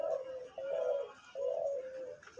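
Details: Captive decoy (hunting) spotted dove giving three soft, low, hollow coos in quick succession, each slightly wavering, with faint indoor room echo; owner calls its dense call rare.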